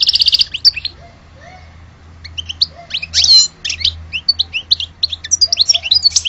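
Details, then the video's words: European goldfinch song, a fast liquid twittering of high chirps and trills running almost continuously, with a brief buzzy note early on and a steady low hum in the background. "Le vrai chardoneret de Alge"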